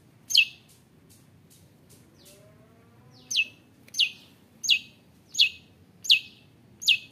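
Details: Long-tailed shrike calling to provoke rival shrikes: a series of sharp falling high notes repeated about every 0.7 seconds, with a few softer clicks and a brief low rising tone early on.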